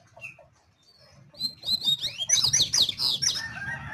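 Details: Quiet scattered notes first, then the double-collared seedeater launches into a loud, quick series of sharp high chirps and trills that keeps going to the end.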